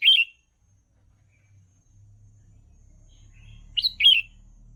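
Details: Song of a red-whiskered bulbul meant for teaching young birds, with one quick chirpy warbled phrase at the start and another two-part phrase near the end, separated by a low steady hum.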